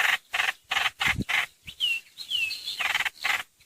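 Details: Streak-eared bulbul lure recording, 2022: soft husky chattering notes with a few clear descending whistles in the middle, at lower volume.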